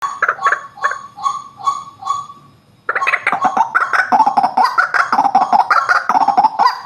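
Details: White-breasted waterhen call used as a lure to attract birds: harsh nasal notes repeated rhythmically about two or three times a second, with a short break followed by a denser, faster chorus of grating notes.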